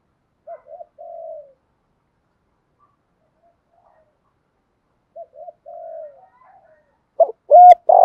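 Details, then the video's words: Spotted dove, a captive decoy bird, gives two soft coo phrases about five seconds apart, each two short notes and a longer purring coo, then louder, rougher coos at the end. "tiếng chim cu đất kích bổi nhanh nổi gù, cu gáy bài bản giọng hợp bổi"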